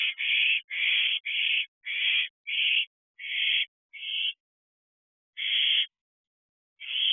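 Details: Barn owl owlet returning to its nest box after flying about, recorded at 10:53 pm on 14 June 2023: harsh, hissing screeches of about half a second, repeated roughly nine times in quick series with brief gaps.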